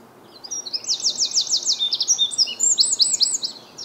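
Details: Eurasian wren singing on a chilly spring morning in Reading, UK, 9 April 2022: a loud, rapid burst of high, sharp notes and fast rattling trills, delivered without pause over a faint background hiss.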